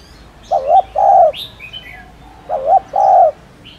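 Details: Spotted dove gives two paired coos about two seconds apart, a brief wavering opening note then a broad steady coo. Short high chirps from other birds are scattered behind.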